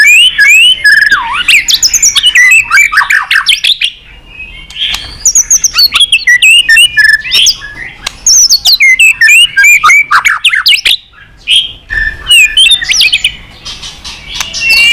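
A white-rumped shama pours out a long, loud song of rich, varied whistles, rapid trills and sweeping slurred notes, with only brief pauses between bursts.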